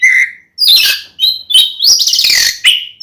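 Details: Fighting song of an oriental magpie-robin, meant to rouse another male to anger: a low whistle, then loud mixed phrases of sharp whistles and raspy scratchy bursts in quick succession.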